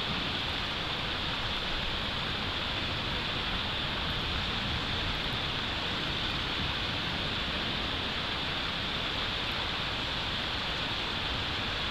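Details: Steady broadband hiss like wind or rushing water fills the whole stretch, with no animal calls heard.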